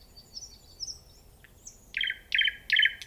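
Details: Nightingale singing: soft high thin whistles drift in first, then three loud rattling buzzy bursts roughly every half second, each a dense trill of repeated notes, with a quiet background.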